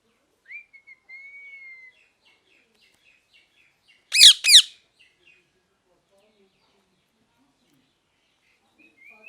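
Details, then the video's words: Parrot giving a thin sustained whistle and a few quiet chirps, followed by two loud, harsh back-to-back screeches, then near silence. "Parrot Chirping Sounds | Natural Parrot Sounds | Parrot Calling Sounds"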